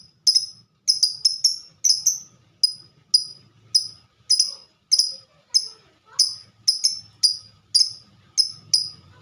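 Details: Fighter lovebird in ngetik (typing) song: a long run of about seventeen high, crisp chips, sometimes doubled or tripled in quick bursts, otherwise spaced unevenly like keystrokes.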